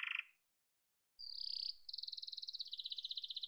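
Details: Yellow domestic canary song fragment: a short buzzy burst, silence, then a sliding whistle leading into a steady high rapid trill.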